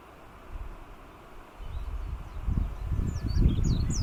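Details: Warbling white-eye, wild, in Yanbaru forest, Kunigami village, northern Okinawa, 25 March 2022. Quick, thin, high twittering notes cluster in the final second and a half over a low rumbling wind or handling noise.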